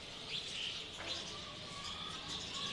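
Small birds chirp in the evening with brief, high, thin notes over a steady background hiss.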